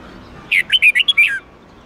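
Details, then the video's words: Red-whiskered bulbul, the song played to train bulbuls daily, in the '8-9-10 note' twisting style: one rapid phrase of six or seven bright whistled notes, the last sliding downward, with quiet background noise. "Luyện giọng chào mào hót âm 8-9-10 xoắn tít cực hay"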